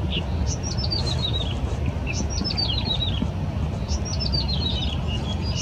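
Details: Yellow-bellied prinia song from a riverside park on the Keelung River, 14 April 2017: three falling runs of bright, tinkling notes, roughly every two seconds, over steady low rumbling noise.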